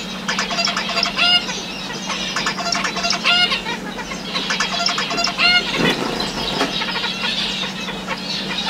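A male zebra finch sings repeated bursts of nasal, buzzy notes to court a female.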